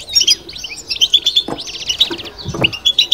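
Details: European goldfinch, kept in a cage, giving babtaba twittering: quick high chirps and tinkling notes broken by a couple of short buzzy rattles, delivered in rapid bursts.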